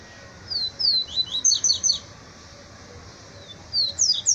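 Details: Yellow-bellied seedeater (papa-capim) in a singing duel. Very high, thin notes slur quickly downward in a rapid twittering run of about a second and a half. After a pause, another burst of sharp descending notes begins.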